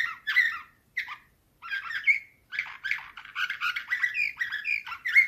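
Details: Canary singing Slavujar nightingale-style song, 2024: broken chirps and short phrases with pauses, then building into a continuous rolling warble of quick notes.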